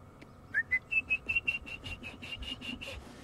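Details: At sunset on 23 February 2016 in the Sabi Sand bush, a Red-crested Korhaan gives a quick run of about a dozen clear piping whistles, the first few rising, then steady and evenly spaced; faint bush background.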